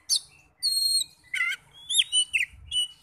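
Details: Oriental magpie-robin song used to provoke other magpie-robins into singing: varied whistled notes, a clear high whistle and a buzzy downward burst, rising and falling phrases with short pauses between them.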